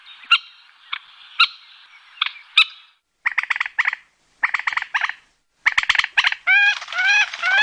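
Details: Common moorhen (Gallinula chloropus) calling: after a few seconds of faint hiss and sharp clicks, bursts of short, clipped, harmonic kek notes in quick groups, then a run of rising, nasal notes at the end.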